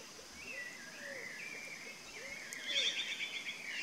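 Chalk-browed mockingbird singing a run of varied whistled and chattering phrases, mostly high-pitched, with a brighter burst near the end; faint lower calls and steady background hiss.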